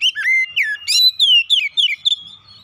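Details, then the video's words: For calming a stressed Oriental magpie-robin: continuous loud song of fluty whistles, downward slurs and chattering high notes packed closely together, ending in a trailing thin whistle. "terapi Kacer dan pemulihan Kacer setres cepat gacor"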